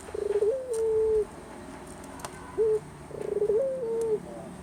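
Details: Collared dove known in Java as Puter gives two full coo phrases, each a rapid rolling stutter climbing into a drawn-out level note, with a short separate coo between them, low-pitched against quiet hum.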